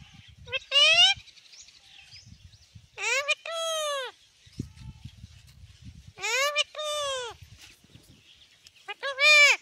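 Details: Talking pet parrot, called tota in Hindi, repeating loud, harmonic-rich squawked words in bursts of about a second, answering a person who keeps calling it mithu in Gujarati.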